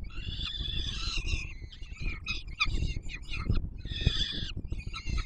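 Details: An adult peregrine falcon feeding its chicks at the Palace of Culture and Science in Warsaw, 7 July 2022, while the young beg. A long grating wail gives way to stuttering chatter, then another wail, over low-pitched noise.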